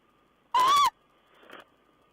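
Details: Owl at its nest on 14 April 2010, bringing in a mouse: one loud, drawn tonal note lasting about a third of a second with a slight rise and fall, followed by a faint soft rustling sound.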